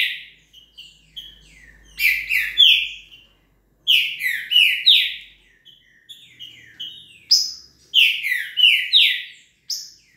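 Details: Trinca-ferro (green-winged saltator), velocista type, delivering rapid repeated phrases of rich downslurred whistles, each phrase of three or four notes, with little pause between them and faint chirps in the gaps.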